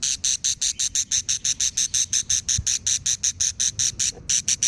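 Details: A steady train of buzzy, grating calls from quarrelsome budgerigar chicks, close to three per second, each a short harsh rasp, with one short break before the calling starts again.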